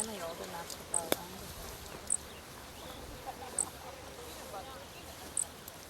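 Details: A Grasshopper Sparrow gives four tiny, very high 'zit' notes about every one to two seconds, faint behind a man speaking, from a bush in partially restored prairie remnant in Rice County, Minnesota, in July; it was collecting food for young nearby.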